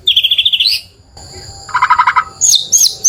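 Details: White-rumped shama singing to agitate a neighbouring bird: a fast, even trill of repeated notes, a short pause, then a lower stuttering burst and a few sharp, bright whistled rising and falling notes.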